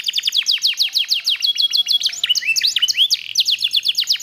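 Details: A black-red mosaic canary delivers quick descending chip notes in a steady trill, breaking into twisting whistled slurs before resuming rapid trilling.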